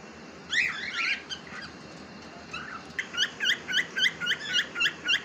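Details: Pet cockatiel in a home, described as talking, starts with two harsh buzzy squawks, then after a pause delivers a run of about nine short bright chirps, evenly spaced roughly every quarter second.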